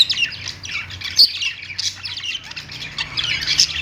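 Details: Perched pet budgies singing among lovebirds: busy, rasping warble with quick squeaky notes running on almost without pause.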